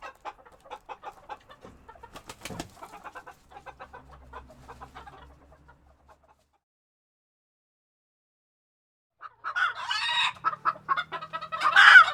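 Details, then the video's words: Hens in a Tokyo chicken coop, February 2022: soft, quiet clucking that fades into a long silence, then a sudden loud outburst of overlapping excited clucks and squawks. "The sound of a chicken coop"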